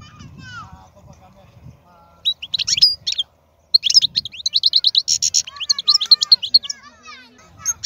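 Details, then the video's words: Wild European goldfinch, a strong singer, giving a fast twittering song of high buzzy trills and sharp chirps. Phrases stop briefly near the third second, then pour on continuously, with a faint low rumble early on. "تغريد الحسون خلوي ممتاز"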